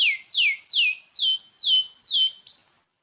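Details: A six-month-old canary delivers six evenly spaced, loud whistled notes, each sliding downward, finished by a single upward-rising whistle.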